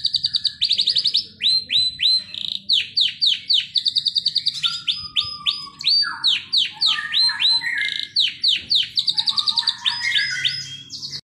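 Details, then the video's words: Canary, probably a Timbrado, sings a fast, continuous song of bright rolling trills and quick descending whistled notes, repeated rapidly several times a second. "canary 's bird song - the canaries singing bird song"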